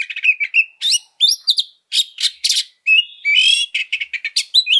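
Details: Oriental magpie-robin in combative song, used as a lure: short bright whistles and upward flicks alternate with harsh, noisy buzzes, delivered in quick phrases separated by brief silences.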